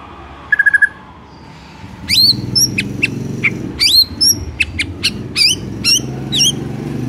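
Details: White-rumped shama, a morning song meant to get a quiet bird singing: a short rapid stutter, a pause, then loud sharp whistled notes sweeping up and down, several dropping steeply, over a low steady hum.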